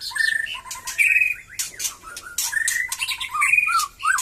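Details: Batu Kurau-stock white-rumped shama singing as it regains vigour after its moult: a varied run of clear whistles, rising and falling slurs and short trills, with harsher chattering notes between phrases.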